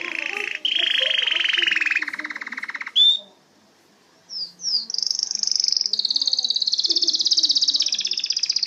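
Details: Canary singing long buzzy rolled trills at two pitches, a brief whistle, a pause of near silence, then two high swoops and a long, very fast high trill to the end.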